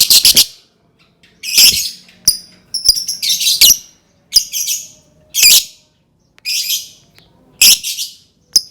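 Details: Lovebird voice played to encourage other lovebirds to sing: loud, broad, grating shrieks and screeches come in irregular clusters, broken by brief silences and single sharp clicks.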